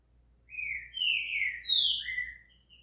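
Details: Green-winged saltator singing, meant to warm up another saltator into song: four loud, fluty whistled notes running together, the third pitched highest and the last dropping lower, over a faint low hum.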